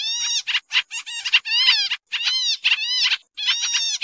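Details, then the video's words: Noisy Sooty-headed bulbul lure call for bird trapping: harsh, grating chatter in bursts under a second, some notes sweeping downward, with two short silences breaking the stream. "suara pikat kapasan kemiri/jarakan/cupon putih"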